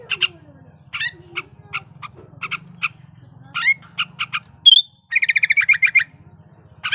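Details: Sooty-headed bulbul in breeding condition, singing to provoke silent bulbuls into song: scattered short chirping notes, then a bright slurred whistle and a rapid run of pulsed notes, over a steady low hum.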